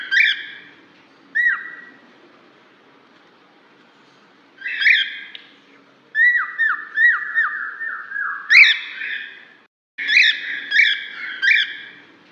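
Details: A cockatiel repeatedly calling another cockatiel, as used to attract a lost one: scattered harsh screeches and clear downward-sliding whistles, including a rapid string of falling notes, with short silences between bursts over twelve seconds.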